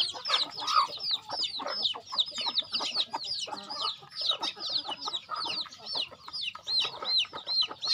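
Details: Many farm chickens being fed, giving a continuous flurry of high, bouncing peeps that overlap constantly, mixed with short, lower clucks in an unbroken busy chatter.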